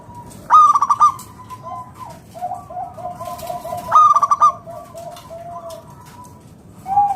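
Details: Local zebra dove of wild stock, singing to prompt other doves to call, delivers two loud staccato bursts about three and a half seconds apart, linked by a string of soft, quick low cooing pulses.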